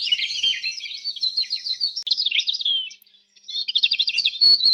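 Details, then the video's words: Canary song of fast warbled trills and high chirps, a short silent gap, then resumed rapid twittering ending in a sharp click and a clear whistle. "صوت الكناري الأصلي | Canary Chirping Sounds"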